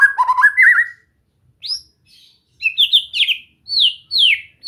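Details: White-rumped shama (murai batu) singing for relaxed training meant to get a bird singing freely: a warbled run of notes, then a series of high whistles, each sliding sharply downward, repeated with short pauses.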